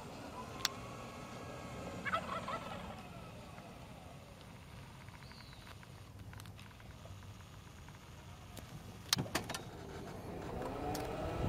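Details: A wild turkey on the 18th fairway of Lake Chabot golf course, Oakland, on 30 May 2010, gives a short rapid rattling gobble in answer to a person's turkey call; people talk nearby over low traffic rumble.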